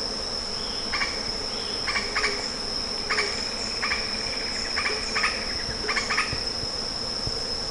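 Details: Lettered aracari calling: rapid clusters of brief rattling, nasal notes, mostly doubled, roughly once a second, set against a constant shrill insect drone.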